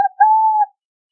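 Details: Burrowing owl singing: a brief soft note, then a sustained, even cooing tone lasting about half a second, pure and level, with nothing else audible.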